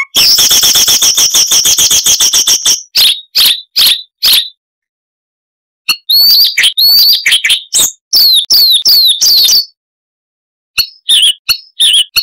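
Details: Siberian rubythroat song: a fast even trill for nearly three seconds, a few separate strong notes, silence, then varied chattering phrases with sharp high whistles and a last short burst.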